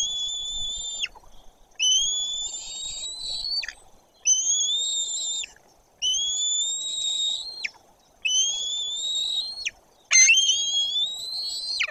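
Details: White-tailed eagle nest, Bory Tucholskie, a parent flying in: six clear, sustained whistled calls about two seconds apart, each slightly rising before a quick downward slide, with a quiet background.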